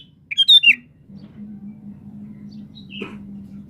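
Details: A lively 'gacor' sooty-headed bulbul gives a quick three-note bubbly phrase, then a lone falling note about two and a half seconds later, above a steady low hum.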